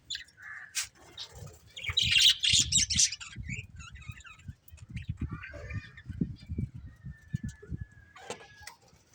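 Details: Budgerigars give scattered chirps, a loud squeaky burst and a few thin whistled notes. The chatter is sparser than a full flock, with soft repeated low thumps throughout.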